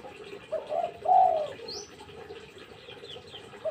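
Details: Spotted dove, described as a lively, vocal caller used as a lure, gives low cooing notes: a short coo near 0.6 s then a louder, longer coo around 1.1 s, with faint higher chirps from other birds in the background.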